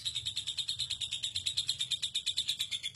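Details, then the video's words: Lovebird ngekek, the long contest trill: sharp high pulses repeated steadily about seven times a second, each a brief chirpy note, forming an unbroken rattling run. "Suara Lovebird ngekek super panjang"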